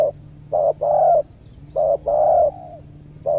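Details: A spotted dove cooing during a luring session with a trained decoy near a durian orchard. Phrases of a short note then a long, level, mellow coo repeat about every one and a half seconds, over a steady low hum.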